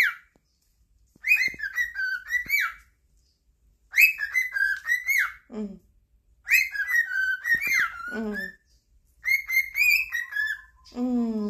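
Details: Cockatiels singing in competition with each other to please their owner, a chorus of bright whistled phrases, rising and falling warbles in bursts about every two to three seconds, with a few harsher lower notes.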